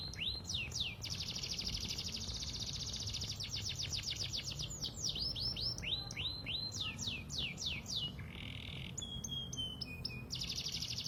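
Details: Pied 'panda' canary singing to draw replies from young canaries: swooping whistles alternate with long rapid high trills, a short low buzz and clicking pure notes near the end, over a persistent low hum.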